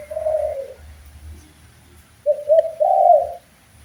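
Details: Spotted dove cooing from a master recording for training birds: a single soft drawn-out coo, a pause, then a quick run of three rolling coos, with low background hum.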